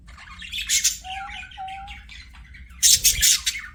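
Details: Budgerigars singing during play, loud rasping squawks framing a soft stretch of warbling with two level, pure whistled notes held about half a second each, then another harsh burst.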